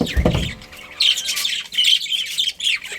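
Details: Colony of pet budgerigars chirping together: dense, overlapping high squeaky chatter and short warbled notes, with a brief low thump at the start.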